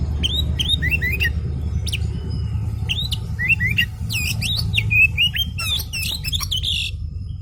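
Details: Agitated oriental magpie-robin singing to provoke a quiet bird into answering: short bursts of clear whistles and downslurred notes separated by brief pauses, becoming faster and denser toward the end, with a constant low background hum.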